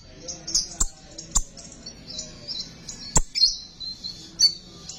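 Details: Lure recording of a singing sunbird: thin, high twittering warbles flow steadily, broken by a handful of loud, sharp clicks.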